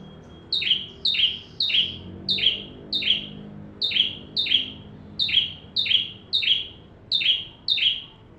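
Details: Bar-winged prinia singing steadily in full voice: a series of about twelve strident, high chipping notes with a buzzy lower tail, delivered at an even pace of roughly two per second over a quiet low hum.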